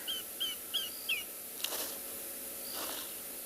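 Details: One of a pair of African grey hornbills, apparently male, calls on a morning game drive in South Africa on 11 January 2021. Four thin, high, down-slurred whistles, about three per second, then soft rushing noise.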